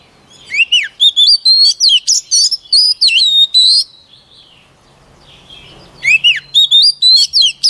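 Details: A white-rumped shama sings a training phrase: rapid, ringing whistles with downward swoops and rising flicks for about three seconds, a quiet gap with faint hum, then the same swooping pattern starts again.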